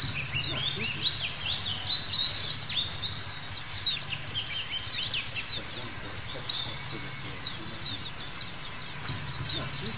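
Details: White-eye song used as therapy to get birds singing: dense, high twittering with rapid chirps, slurred whistles and quick downward notes in bursts, overlapping steadily throughout, over a faint low hum.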